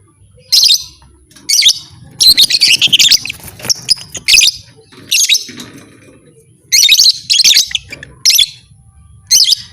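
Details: Piercing lovebird chirps, said to rouse rival lovebirds into fighting. Harsh, high bursts repeat roughly every second or so, some doubled or tripled, over a faint low hum.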